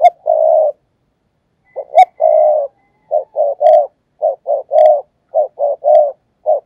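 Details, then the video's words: Spotted dove kept as a fast-calling decoy bird to lure doves, giving thúc gù urging coos: low, mellow coo phrases in quick bursts, short double notes then longer rolling coos, about once per second with brief pauses. "cu gáy mồi cây thúc gù"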